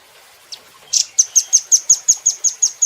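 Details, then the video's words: Velvet-fronted nuthatch recorded for training cage birds, opening with a soft note and a rough burst, then a regular series of about ten sharp, high chips. "Rambatan Doraemon Super Gacor"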